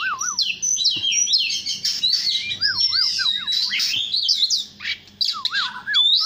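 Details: Oriental magpie-robin singing in the morning: rich, fast run of varied high whistled and chirped notes, with a lower repeated looping whistle threaded through the phrases.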